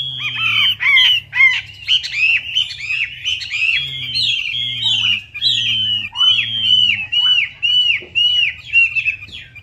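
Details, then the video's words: Chinese hwamei singing a lure song meant to prompt a silent hwamei: loud, ringing whistled phrases repeated about twice a second, each note arched and slurred, with a steady low electrical hum beneath. "PANCINGAN WAMBI MACET"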